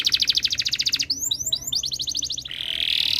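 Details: Canary in breeding condition singing to draw other birds into song: a rapid, even trill breaks into a few high sweeping notes, followed by a short trill and a smooth buzzing roll.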